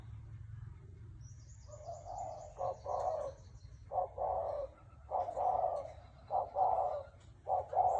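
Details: Spotted dove, Thai strain with a hoarse voice, cooing as a decoy call. After a quiet start, rough low coos build into paired short and long notes, with faint thin high calls from another bird early on.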